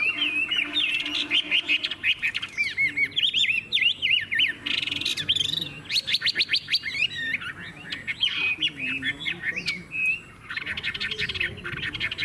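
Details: Caged Chinese hwamei kept for sale, singing loudly: a rich run of varied whistled phrases, fast trills and rattling notes, with harsher buzzy bursts and brief pauses between phrases.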